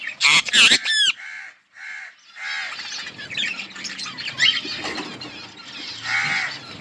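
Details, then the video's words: Budgies in a colony: a few loud, harsh squawks with sweeping notes open the recording, then comes dense twittering chatter from many birds with occasional louder raspy calls. "Budgies parrot chirping sounds in budgies colony"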